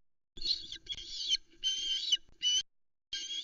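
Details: Shouting osprey on a nest in the Arkaig Community Forest, 26 August 2020 afternoon, greeting the male bringing a live mackerel; camera recording. Strained whistled calls fall in uneven bursts of varying length, with faint rumbling underneath.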